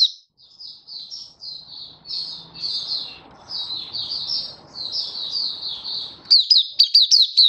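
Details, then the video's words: Oriental white-eye singing, 24 February 2023: a long, soft, slurred warble of high notes over faint background noise, ending in a few loud, sharp chirps. "Mata Puteh Happy Buka Sing"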